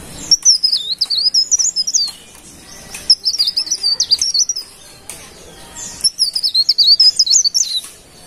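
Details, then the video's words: Three bright, high-pitched trilling phrases from a golden-bellied gerygone (cikrak daun), each about one and a half seconds of rapid zigzagging whistled notes, separated by short pauses, over a clean quiet background. "Suara Burung Cikrak Daun Pare Pare Gacor"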